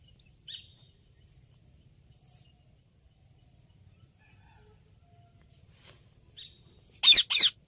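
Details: A green rose-ringed (ringneck) parakeet, recorded in natural conditions, gives two loud, harsh screeches close together near the end, after a long quiet stretch with a few faint chirps.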